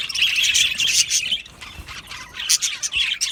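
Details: Happy Australian budgies in an aviary colony give rapid bright chirps and short squawky notes, loud bursts near the start and again around two and a half seconds, above softer background chatter.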